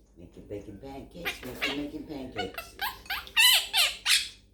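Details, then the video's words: Little pet Quaker parrot chatting, its phrases including thank you baby and makin bacon pancakes; softer lower speech-like murmuring gives way to a run of loud, rasping, high squawky syllables. "CHATTING LITTLE QUAKER PARROT"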